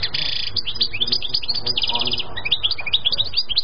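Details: European goldfinch singing a fast, jangling twitter of sharp chirps, with buzzy trilled runs near the start and around two seconds, continuing without pause over a low steady hum.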